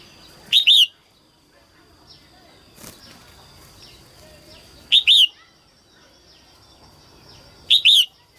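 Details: Female red-whiskered bulbul singing early in the 2022 season to stimulate males: three loud, clipped bursts, each a pair of quick arched chirps, at irregular gaps of about three to four seconds. A faint steady high tone runs behind, with a quiet background.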